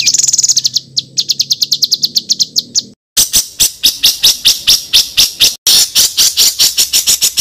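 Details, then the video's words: Songbird singing rough rolling kasaran ngeroll material, used as masteran for training contest birds: a steady series of sharp high notes, then a louder, harsher run of rapid clipped notes after a brief silence. "BURUNG MASTERAN KASARAN NGEROLL || MASTERAN MEWAH UNTUK ISIAN BURUNG LOMBA"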